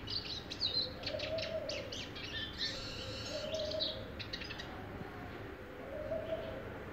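Eurasian siskin in fast, high twittering song with buzzy, wheezy notes, fading after four seconds; a low, soft cooing repeats about every two and a half seconds.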